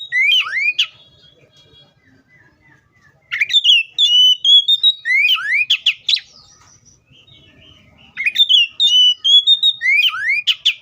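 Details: Oriental magpie-robin repeating its song phrase three times with short pauses, each phrase a fast sequence of steep rising whistles and a sustained clear note, delivered loud and close.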